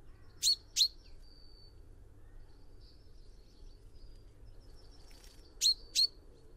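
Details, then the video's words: Chaffinch (tentilhão-comum) giving sharp metallic notes in two quick pairs, one at the start and one near the end. A quiet gap lies between them, where a soft, thin whistled tone drifts in the background. "O canto do TENTILHÃO-COMUM (FRINGILLA COELEBS)/CHAFFINCH SONG"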